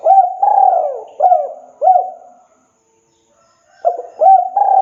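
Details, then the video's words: Cooing song of a spotted dove, meant to coax quiet birds into singing: a run of soft, rounded coos with short upswept notes, then a silent gap of over a second before the cooing resumes. "MASTERAN SUARA BURUNG TEKUKUR MACET, BISU, MALAS DENGARKAN MANGGUNG TEKUKUR INI GACOR LANGSUNG PLONG"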